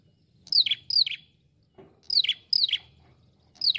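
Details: Ashy prinia (prenjak kepala merah) uttering shrill chirps that drop sharply in pitch, delivered in doublets roughly every one and a half seconds, with little else audible.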